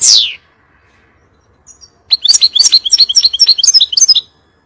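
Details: Goldfinch singing, intended to teach young birds: a loud downward-sweeping note opens, then after a pause a rapid run of bright, tinkling chirps and twitters, roughly three per second, all high-pitched and clean.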